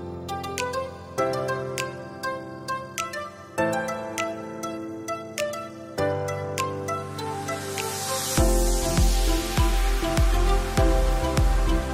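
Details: Instrumental electronic music with a steady beat and piano-like tones, with no animal sounds.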